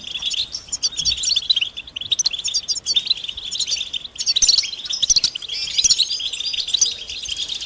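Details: Several European goldfinches chirp together in mating and readiness calls used to rouse males to sing. Quick, liquid, high-pitched twitters tumble in overlapping phrases, swelling and easing every second or so.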